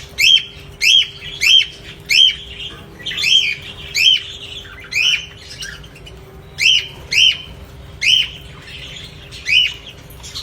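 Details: Domestic parrots kept at home: loud, harsh arched calls repeated in a steady series about every half second to second, sometimes paired, over a faint constant electrical hum and softer background chatter.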